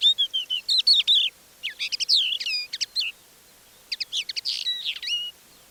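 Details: Crested Lark imitating other birds, including the Common Linnet, in its song at Manych, April 2024: three bursts of twittering, whistled slurs and crisp clicks, with a faint rustling background.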